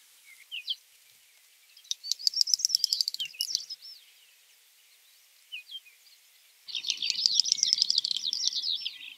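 Great Snipe giving high, rapid bubbling twitters mixed with dry clicking, in two bursts of a couple of seconds each, with a few thin notes between.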